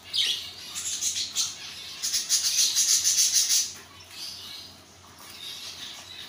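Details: Isabel-mutation zebra finch, one of a pair over seven months old and ready for breeding, giving a fast train of buzzy, rattling notes about three per second for two seconds, then softer chirps.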